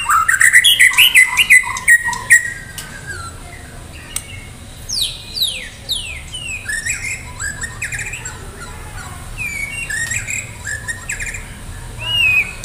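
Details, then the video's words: White-rumped shama of the Medan type in full, lively song, ready for a singing contest: loud varied phrases of squawks, sweeping descending whistles and quick chirps, with shifting, high-pitched notes throughout. "murai batu medan gacor siap ikut lomba || murai batu gacor full isian"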